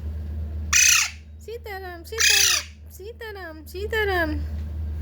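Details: Young talking parrot chick with two loud, raspy squawks about a second and a half apart, mixed with shorter tonal, wavering calls that dip and rise. A low steady hum runs underneath.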